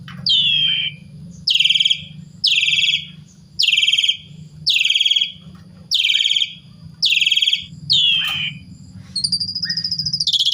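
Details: Jalak suren, the Asian pied starling, in lure song meant to set other starlings singing: a regular series of rasping, down-slurred buzzy phrases about once per second, ending in a higher rattling trill, with a low background hum.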